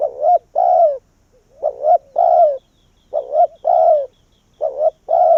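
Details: Vietnamese decoy spotted dove cooing to attract wild doves into its tree. Loud two-part phrases repeat about every second: a rising double note and then a long falling coo, four phrases in all.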